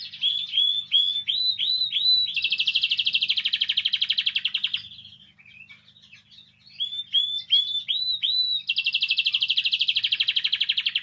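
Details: Canary song meant to encourage canaries to sing: a series of upswept whistled notes leading into a long, rapid, buzzy trill, a short gap with soft notes, then the same rising whistles and fast trill again.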